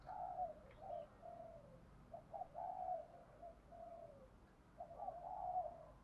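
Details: Spotted dove calling in the Thổ Gù style, a voice used to lure wild spotted doves home quickly. Low, throaty coos come in uneven phrases. Short clipped notes lead into longer smooth coos, repeated about every two to three seconds.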